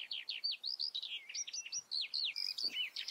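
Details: Common redstart (Phoenicurus phoenicurus), song.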